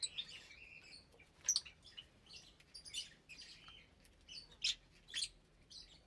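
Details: Lovebirds feeding in an aviary of around 25 birds, parblue, euwing, opaline, lutino and albino, with nesting pairs; continuous high twittering and squeaky chatter over a steady background hiss.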